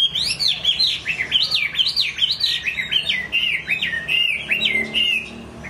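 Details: Chinese hwamei in full song, a rapid run of loud, varied whistled notes that swing up and down in quick zigzag loops, each note flowing into the next without a break for over five seconds.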